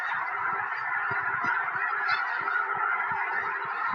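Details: A huge flock of snow geese circling overhead and landing in a Tennessee field, January 2026, ahead of a snowstorm; dense overlapping nasal honking over a rapid series of soft low thuds.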